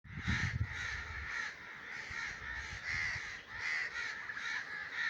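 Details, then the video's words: Common raven in breeding season giving harsh, rasping caws in a near-continuous run. The calls overlap one another, with a few low thumps in the first second. "crow 's sound effects in breeding season || Raven voice"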